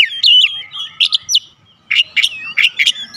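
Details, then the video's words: Song of an Oriental magpie-robin, played to draw a reply from rival birds: bright whistled notes and short sliding phrases, a brief pause mid-way, then loud sharp chirps repeated about every quarter second. "PANCINGAN KACER MANAPUN AUTO RESPON NGEPLONG"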